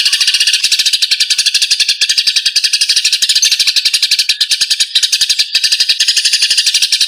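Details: Fighting Eurasian tree sparrows, recorded as songbird training material. A fast, continuous chatter of high, scratchy chirps rattles on steadily throughout, with no other noises.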